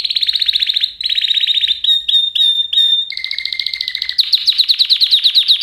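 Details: Canary singing: fast trilled tours around a steady high pitch, switching between buzzy rattles, sharp pure whistled notes and a lower trill, then a rapid pulsed series at the end; no other sounds.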